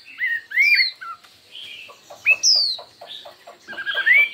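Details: Chinese hwamei in a singing contest: scattered loud slurred whistles, including a high falling one, alternating with a softer series of short, evenly spaced pulsed notes.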